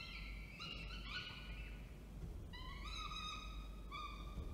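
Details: Falcons at Orange, New South Wales, 19 October 2024, as the male brings food and the female feeds. Clustered whining calls at the start, a pause, then longer rising wails, over low background rumble.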